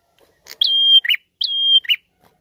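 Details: Prinia singing vigorously as a lure song: two phrases, each a brief rising note leading into a long, steady high whistle, closed by a harsh buzzy chirp. Quiet background.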